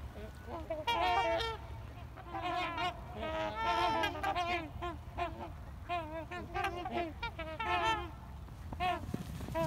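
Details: Trumpeter swans arguing loudly: near-continuous trumpet-like honks from several birds, harsh and nasal, some notes rising and falling, crowding together with few gaps over a low background hum.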